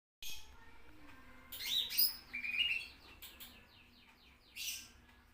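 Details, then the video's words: Lesser green leafbird singing on a tutor recording: a few thin high notes, then a burst of bright, sweeping whistled phrases around two seconds, followed by sparse chirps and a final short high flourish. "masteran burung Meranti"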